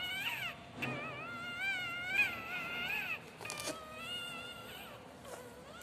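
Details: Pet cockatiels kept at home, described as very happy, give a run of clear whistled calls that warble and bend up and down in pitch, overlapping in stacked tones for most of the stretch, with a brief noisy burst in the middle.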